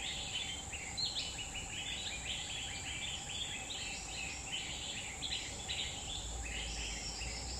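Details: Wild grey-bellied bulbul song from a Borneo forest in Central Kalimantan: a lively, nearly continuous stream of mellow chirping phrases with jumps in pitch, while insects drone steadily in the background.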